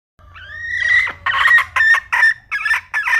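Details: Hen red junglefowl opening with a long rising, drawn-out note that turns hoarse, followed by five loud, raspy bursts in an uneven rhythm.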